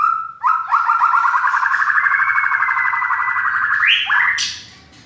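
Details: White-rumped shama giving loud, harsh song: a rapid, buzzy trill held for about four seconds, stepping up in pitch twice before breaking off, with a faint high whine above.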